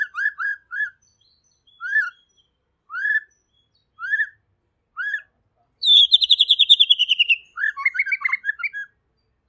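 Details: White-rumped shama, a gacor and clear singer, delivering short rising whistled phrases about once a second, then a fast buzzy trilled run and a cluster of varied warbled notes; no other sounds.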